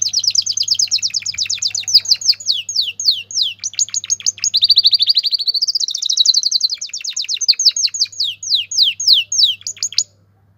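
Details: Excited male canary in breeding condition singing for mating, with female call: continuous fast trills of high descending notes, a rolling buzzy passage midway, then quick repeated chips to the end; low steady hum behind.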